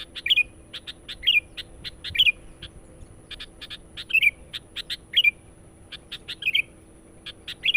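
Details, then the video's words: Sooty-headed bulbul in persistent, energetic lure song for attracting wild birds: short bubbly warbled phrases recur about once a second, set among rapid trains of sharp, clipped high notes. "SUARA BURUNG KUTILANG PIKAT GACOR NGOTOT. PANCINGAN.."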